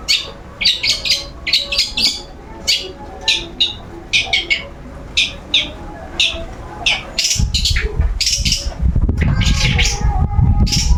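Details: A long-tailed shrike, sunned as part of a daily routine, gives sharp high chirps repeated in irregular pairs and triplets. Loud low rumbling noise takes over toward the end.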